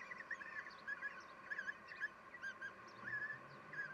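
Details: Common kestrels at a nest with seven chicks on 7 June 2021, the female feeding the young: short, high, slightly buzzy notes repeated about twice a second, some doubled, over a constant steady hum, with fainter chirps higher up.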